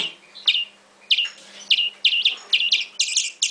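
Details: European greenfinch nestling begging: short high chirps with upward-swept notes, repeated about twice a second, growing denser and louder toward the end; a faint steady hum underneath.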